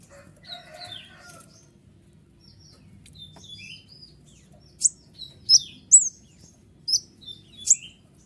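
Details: Kolibri ninja sunbird singing noisily in the shooting style, meant to rile other birds such as ciblek and rouse lazy singers: lower warbled phrases open, then sharp, very high chirps and downslurred whistles burst out in quick succession.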